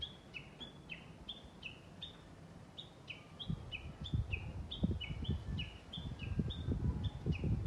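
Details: Japanese bush warbler, recorded 11.3.2020, gives a long steady series of two-part whistles, high then lower, repeated quickly and evenly, while low rumbling noise grows louder in the second half.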